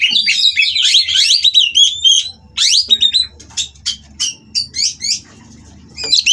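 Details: Bred captive kacer, the Oriental magpie-robin, in Kroya, mating and singing to spur rivals: a burst of rapid tumbling whistles, then separate sharp, clipped notes spaced about half a second apart, ending in a fresh warble.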